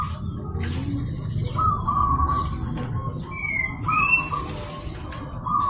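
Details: Zebra dove of local stock luring a rival to respond, giving bursts of fast staccato cooing at a level mid pitch, separated by short gaps. Clear upslurred whistles from another bird and steady low background noise accompany it.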